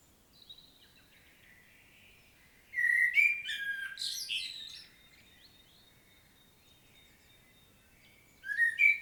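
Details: Common blackbird song recorded in the field at Świnoujście, Poland, 25 September 2022: a faint thin note, then a loud burst of fluty warbling mixed with scratchy high twittering, a pause, and another short fluted phrase at the end.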